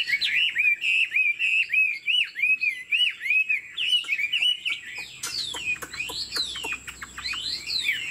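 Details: A caged Hwamei, described as 90% pure, with a wing display and a nodding, lion-dance style of singing. Clear rising-and-falling whistles repeat about twice a second, then the song turns to sharper, steeply descending sweeps.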